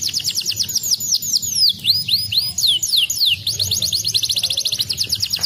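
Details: Canary song played to encourage lazy canaries to sing: fast trills, a run of swooping arched whistles, then another long rapid rolling trill.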